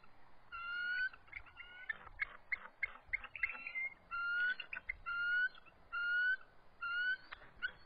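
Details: Resident eagle pair in their nest on the evening of March 23, 2014, around 7:44 pm, visibly stressed and in full defensive posture while an adult intruder approaches. Sharp, slightly rising chirping notes in quick bursts, roughly one per second, with ringing overtones.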